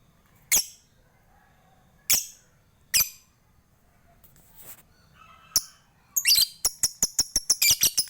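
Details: Lovebird from Bali, Indonesia, giving its ngetik and ngekek song as a prompt for other lovebirds. Several isolated sharp ticks lead into a fast run of high chattering notes near the end.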